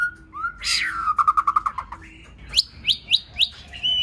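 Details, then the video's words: White-rumped shama, a training recording to excite shamas into song: a soft whistle, a harsh burst, a rapid run of even repeated notes, then four ringing upslurred whistles about a quarter second apart. "Kích Chòe lửa hót nhiều giọng,Căng lửa,chòe lửa đánh đuôi kích cực nhạy.luyện chòe lửa hót"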